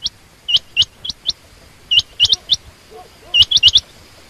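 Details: Female quail giving short, sharp upswept chirps in clusters of two to four, with pauses between groups, over a quiet background.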